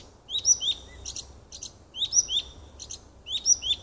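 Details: Close, loud nightingale song in woodland near a house, June 2015: bright rising-and-falling whistle pairs followed by rattling doubled click notes, the sequence recurring roughly every one and a half seconds.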